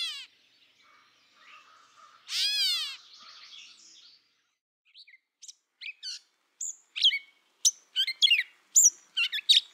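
Gray Catbird giving one nasal, whining, slightly descending mew like a cat's, then a quick jumble of short, varied squeaky and chirpy song notes.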